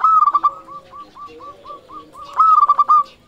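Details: Close, clear song of a local zebra dove: a loud cluster of quick staccato coos, then a steady run of short, evenly spaced notes, closing with another loud, rapid burst.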